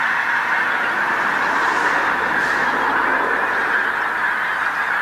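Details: Many pink-footed geese on a field by the coast road in North Norfolk, England, at sunset; steady roar of overlapping honks, a dense uninterrupted goose chorus.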